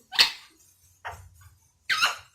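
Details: An Indian ringneck parrot, the rose-ringed parakeet, said to be talking: three short raspy, noisy utterances spaced roughly a second apart, the last the fullest, over a faint low hum.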